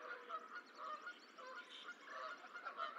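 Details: Goose at the Decorah eagle nest on 14 April 2024, as the sixth and last goose egg hatches; nasal honks repeat in quick, uneven bursts with a faint high whistling bird in the background.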